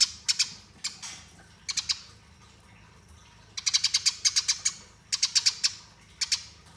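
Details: Eurasian tree sparrow with fighting-style chirps, recorded as training master; scattered short bursts of piercing high chirps, from two to seven notes, separated by pauses of up to a second.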